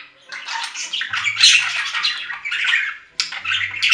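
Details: Budgerigar chattering: busy, grating twitters and high squeaks run almost unbroken after a quiet start. A short pause comes before a sudden renewed burst, with a low steady hum in the background.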